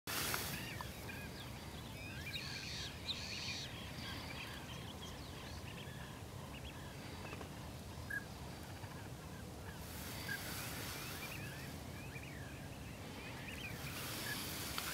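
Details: Yellow-billed pintails preening at dawn in Batuco, Chile, give short, scattered quacking and whistled notes, several birds overlapping, over a steady rush of wind or water.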